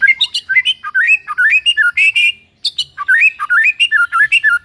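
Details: White-rumped shama in full song: a fast, continuous stream of varied clear whistles, rising and falling phrases with sharp high accents and one brief pause.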